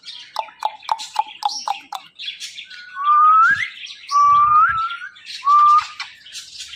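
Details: A pet ringneck parrot that talks makes a rapid series of short sharp chirps, then three strong upslurred whistles of about half a second each, with faint rustling underneath.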